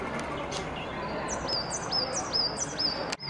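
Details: Coal tit (Periparus ater) calling: thin, very high notes with a quick upward flick, repeated four times about every half second over a steady background hiss.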